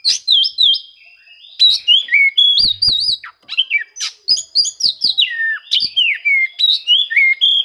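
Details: Challenging song of an Oriental magpie-robin, used to draw quiet birds into singing: rapid loud whistled phrases, some wavering and some swooping down, with sharp clicks, after a short early pause.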